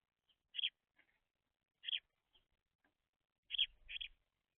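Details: Baby house sparrows give single loud chirps spaced over a second apart, then a quick double chirp near the end, with soft low bumping underneath in a quiet setting.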